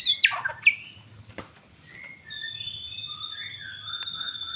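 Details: White-rumped shama, tied to songbird contests, singing varied clear whistles: sharp descending slurred notes, sudden clicks, then long steady high whistled tones and lower rising and falling phrases over faint low hum.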